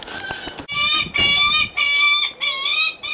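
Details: A Lanner falcon at Kakegawa Kachoen bird park gives four nasal, whining notes, each about half a second long, in a steady series after a brief patch of rustling; a cute, coaxing, attention-seeking call.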